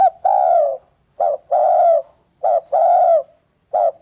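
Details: Spotted dove giving rhythmic coo phrases, a short note leading into a longer steady coo, repeated about every one and a quarter seconds, four phrases, no other animals audible.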